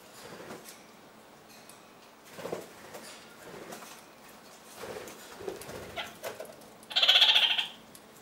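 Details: Kakariki anting, one of a pair using pine cone resin and Roman chamomile to groom their feathers; soft rustling and pecking, then a single loud, harsh call near the end.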